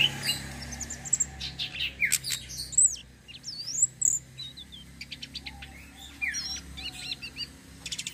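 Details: Rolling 'ngeroll' song of a tledekan sitrun selendang biru flowerpecker, a bird used as bait for others; sharp high ticks, twisting whistles and scattered buzzy chirps in an uneven, busy sequence.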